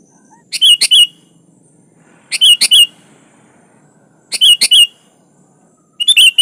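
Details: Sooty-headed bulbul in vigorous song, calling a rival: short clusters of three or four quick, bright, slurred notes repeated about every two seconds, with quiet low background hum between phrases.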